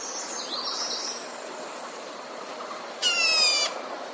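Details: Red-whiskered bulbul used as a decoy bird for trapping wild bulbuls, giving a single harsh, buzzy, rich-toned burst of about half a second, with faint high warbling notes earlier and steady background hiss.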